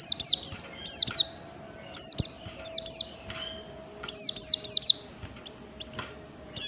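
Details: Oriental white-eye singing standard ngalas style, used to draw song from other white-eyes: clusters of piercing high notes falling in pitch, delivered in quick groups of two to four with short pauses, and a low steady hum.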